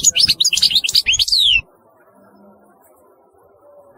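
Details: European goldfinch singing a quick twittering phrase that ends in a downward-sliding note, followed by near silence.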